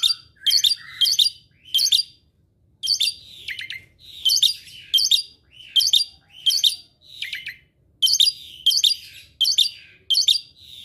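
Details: Asian pied starling, said to pick up other birds' calls, gives short harsh chattering bursts in a steady run, roughly one or two each second, with brief gaps between.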